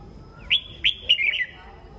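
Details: Red-whiskered bulbul, a kept songbird heard in the morning: a fast chain of bright whistled notes, three sharp upward strokes then a rolling warble, all within about one second.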